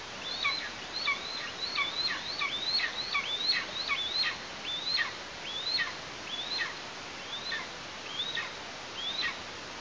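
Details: Nestling Eastern imperial eagle in Tatarstan, 16 August 2023, while its parents deliver food: a rapid run of high, thin, slurred whistles, rising then falling, that slows toward the end, around sixteen calls over a quiet background.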